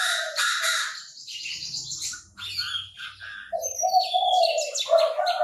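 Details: Loud high chattering and chirps fill the start. The Chinese francolin then gives a harsh, steady, nasal rasp that runs through the last two seconds.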